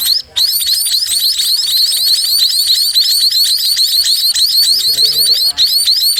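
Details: Sparrow chicks being fed by their mother keep up a frantic, shrill cheeping, overlapping high notes pouring out several times a second with hardly a break.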